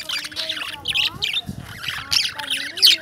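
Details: Lovebirds making sounds: rapid high chirps and harsher squawks overlap continuously, with faint low tonal sounds and murmuring underneath.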